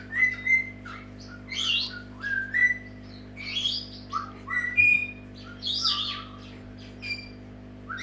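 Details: A pet Senegal parrot's wake-up call: a run of sharp whistles, squeaks and harsh chatters, bursts every half second or so, over a steady low indoor hum.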